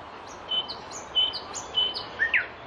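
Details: Nightingale song of crisp, high notes: short sharp chirps mixed with clear held whistles, then a quick rising-and-falling flourish, over a soft steady hiss. Only seven song phrases are counted, each delivered distinctly in varying order.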